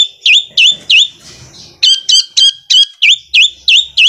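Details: Repeated high, clear swooping notes from a long-tailed shrike in sewing-machine style song, with a short soft pause before the rhythmic series resumes at a steady quick pace.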